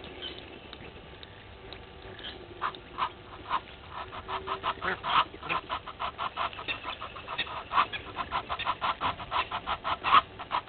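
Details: Red-billed hornbill foraging at Gowrie dam, Djuma Game Reserve, South Africa, morning of 20 March 2021: sparse clucks building into a fast, regular series of loud pulsed notes, faint birdsong behind.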